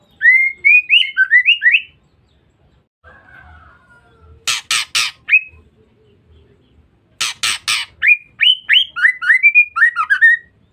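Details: Female white-rumped shama calls used to provoke males: quick runs of bright rising whistles alternate with bursts of three harsh, grating rasps, ending in another cascade of sweet whistled notes.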